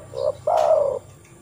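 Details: Spotted dove cooing as a lure call to make other doves sing: a short low coo, a brief pause, then a longer, louder, steady coo that falls slightly before stopping.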